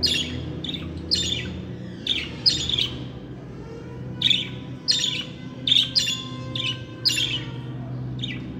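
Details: Talking pet budgies give scratchy, harmonic chirps in uneven groups separated by brief pauses, with a faint steady hum underneath.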